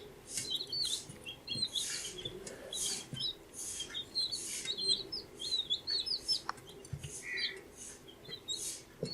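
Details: Baby chicks aged 14 days chirp together: many high, thin peeps, often falling in pitch, follow one another rapidly over steady hissy rustling. One lower, buzzier note stands out near the end.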